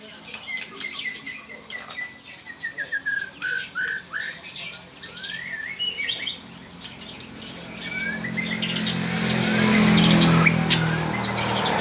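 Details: Oriental magpie-robin, called by its local name, giving short whistled slurs and chirps repeated several times a second. A loud low rumbling noise builds and drowns the singing in the last seconds.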